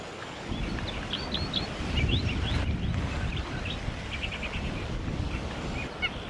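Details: White-plumed honeyeater (Ptilotula penicillata; Aboriginal name Chickowee) recorded in Victoria, Australia, December 2021, giving short, sharp chips and quick rising chirps, with a brief rapid run of notes near the end, over a heavy low rumble of wind or engine.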